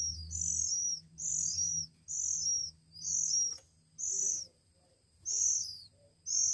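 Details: Hand-reared Oriental magpie-robin chicks, one week old, beg loudly during feeding with high, slurred squealing bursts about once a second, separated by short pauses.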